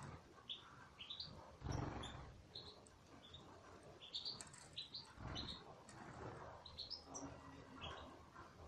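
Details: Goldfinches in an aviary chatter in groups of quick, rising and falling high chirps. Wing flutters and low thumps come in between, including a strong burst early on.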